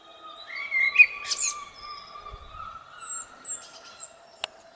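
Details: Blackbird singing in spring: a low fluted whistle held steady through the phrase, with brief higher chirps, a short twittering burst and a sharp click near the end.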